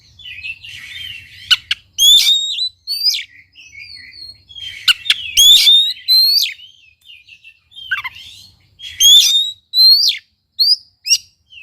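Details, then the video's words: Oriental magpie-robin in vigorous song, used to trigger singing in a quiet bird. Three bursts of loud whistled notes with sharp upslurs and clicks, about five seconds apart, separated by softer twittering warbles. "KACER GACOR||PACINGAN &MASTERAN KACER MALES BUNYI"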